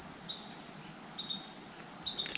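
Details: Carolina wren nestling, one of five chicks in a nest built inside a motorcycle helmet hung in a tent, gives thin, very high chirps: four short slurred notes about half a second apart, ending with a faint click.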